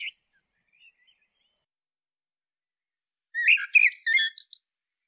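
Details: Common blackbird calling: a short burst of chattering, squeaky notes and chirps lasting about a second after long silence, with a faint brief note at the start; quiet otherwise.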